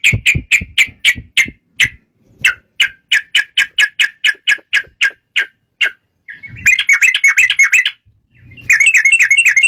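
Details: Yellow-vented bulbul, a lively singer used as a lure to set other bulbuls singing: a steady run of sharp, clipped notes about four per second, then a pause and bursts of bubbly, warbling chatter.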